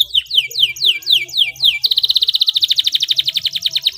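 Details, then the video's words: Clear canary rolling song for stimulating silent canaries: a series of falling whistled sweeps, then an abrupt switch to a fast even trill of repeated pulses, with a faint low hum below. "SUARA KENARI GACOR NGEROLL JERNIH INI TERBUKTI DAPAT MERANGSANG BUNYI KENARI BISU"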